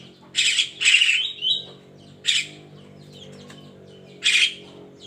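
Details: In the morning a Javan myna gives coarse, wheezy squawks, two close together, then single ones, one ending in a thin rising whistle.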